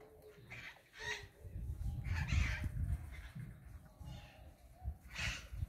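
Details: Scaly-headed parrots feeding on guavas on 17 April 2022 at 16:50 give a few harsh, raspy squawks at uneven intervals over a steady low rumble of wind and handling noise.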